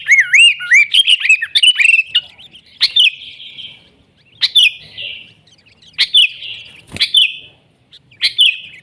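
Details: Sooty-headed bulbul in nggaruda-style song, used to tutor and lure birds: warbling, looping whistles at the start, then clear sharp chirps repeated roughly every one and a half seconds.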